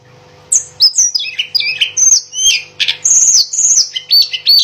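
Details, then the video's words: Mangrove blue flycatcher singing vigorously: a fast, varied run of high whistled notes, some sliding down and some rising, packed closely and loud from half a second on after a quiet start. "Tledekan Gunung Edan Gacor Berkicau"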